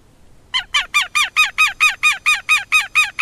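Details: Southern lapwing giving a steady series of loud, harsh, nasal cries, about four per second, starting abruptly after a brief quiet moment and continuing evenly to the end.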